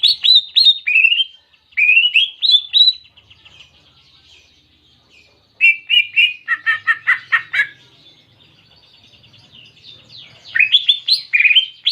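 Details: Greater green leafbird singing canary imitations: bursts of rapid high whistled notes, then a pause, then a scratchy chattering run of chirps, and a final burst of high rising whistles.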